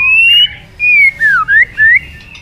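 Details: White-rumped shama in long-phrased fighting song: clear, pure whistles, a long level note, then short slurred notes dipping and rising, separated by brief pauses.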